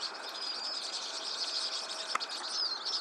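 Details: Vinous-throated parrotbill: a steady high, dense twittering chatter with a few thin whistled notes mixed in and one sharp click near the end.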